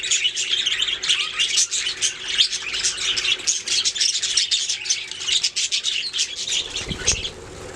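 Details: Budgies making sounds, a lively rapid twitter of high chirps and scratchy notes from several birds, ending with a soft thump.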